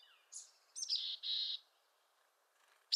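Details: Mountain chickadee in western North America calling faintly: a high chip, then two rasping buzzy notes, with a high squeaky note at the end and a soft hiss beneath.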